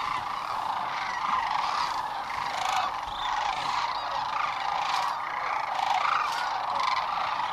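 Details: Large flock of wild sandhill cranes settling in for the night on the Platte River near Gibbon, Nebraska, in spring 2015; a dense, unbroken chorus of rolling, trumpeting calls from many birds overlapping throughout.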